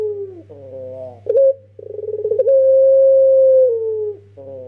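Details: A young Barbary dove in pelung style, kept as a lure: a wavering low introduction, a short bright note, then a pulsed build-up into a long level coo that drops off, over a faint steady hum.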